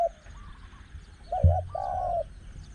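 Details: Spotted Dove cooing beside a caged decoy during a luring session at spot 14. A brief coo, a quiet gap, then a dull knock followed by a double coo and a longer, level, mellow note.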